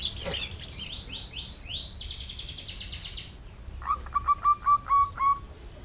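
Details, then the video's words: Panda canary singing: a series of quick downward-sweeping notes, then a harsh buzzy high stretch, ending with a run of short repeated whistled notes over background hiss. "riwikan kenari panda"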